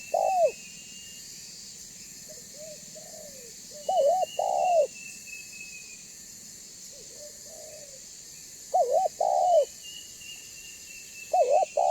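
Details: Banggo-type spotted dove calling as a lure to draw other doves in; three loud phrases spaced about four seconds apart, stuttered notes followed by a drawn-out falling coo, with fainter answering coos and a high whistled bird note behind.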